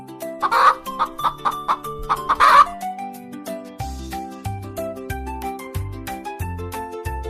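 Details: Chicken on a farm, two loud, rough clucking bursts about two seconds apart, set against steady gentle background music that plays throughout.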